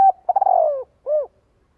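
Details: Calling spotted dove trying to attract and gather others. The end of a level note leads into a pulsing, downward-sliding purr and one soft arched coo, followed by silence.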